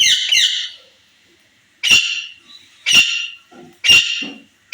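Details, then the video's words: Rose-ringed parakeet, a green ringneck kept as a pet in Pakistan and said to be a talking bird ready for first breeding, giving loud harsh screeches: a double burst, then three strong screeches about a second apart. "row talking parrot ready for first breed/Indian speaking parrot mitthu tota/bolny waly mithu"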